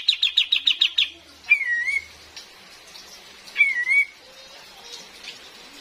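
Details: Female cream-vented bulbul, a recording used to lure and trap the species in forest: a rapid burst of seven sharp chirps, then two separate wavering, dipping whistles about two seconds apart against a quiet background.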